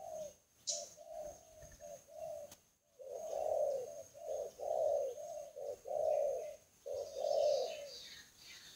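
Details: Lure call of a spotted dove heard softly through noisy background hiss, a run of mellow low coos, some short and some drawn out, with scratchy high bird chatter near the end.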